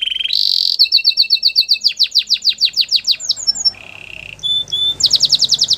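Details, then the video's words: Belgian singing canary: a low trill then a higher buzzy one, followed by quick series of falling whistled notes, a slower low rolling trill, and a final burst of rapid high notes. "The belgian singing canary"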